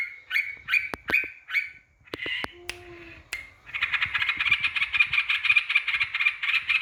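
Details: Yellow-vented bulbul song meant to provoke rivals: a few liquid phrases broken by sharp clicks and a short pause, then a continuous, fast, bubbly chattering stream to the end.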